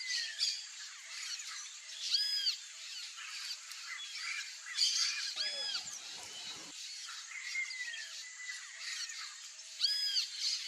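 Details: Wild Turquoise-fronted Amazons (Amazona aestiva) in their natural Brazilian habitat give harsh, squawking calls in short bursts over a dense, hissing chorus of insects and other birds, with a low rumble near the middle.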